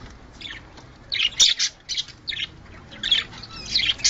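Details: Budgerigars calling for breeding condition: sparse, separate squeaky chirps and short scratchy bursts, a few each second, with quiet gaps between them.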